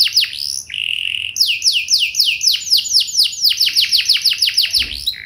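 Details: Lure song of a canary meant to prompt other canaries to sing back: a short burst of falling notes, a flat buzzy trill, then a long rapid run of repeated downward-sliding whistled notes.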